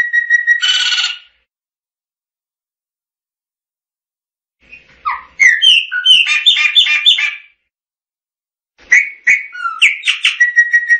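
A Chopi blackbird sings three bursts of rich, liquid whistles mixed with gurgling, chattering notes, separated by silent pauses.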